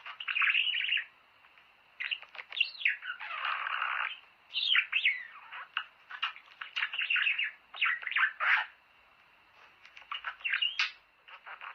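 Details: Budgerigar song meant to encourage breeding. Bursts of busy, chattering warble come in bursts between short pauses, mixing rasping buzzes, quick rising and falling whistles and clicky chirps.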